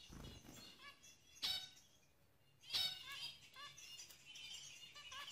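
Zebra finch giving short, nasal, toy-trumpet-like beeps, two louder ones about a second apart, with softer chirps from other finches behind.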